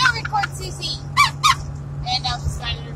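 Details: Three pet cockatoos on a long car ride from Arizona to Iowa give short bursts of harsh, harmonic squawks over a steady engine hum, with people talking nearby.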